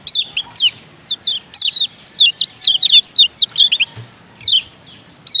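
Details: Male lemon-bellied white-eye (Lombok) giving bright, high, sharply falling chirps in quick bursts of two to four notes, with brief pauses between bursts.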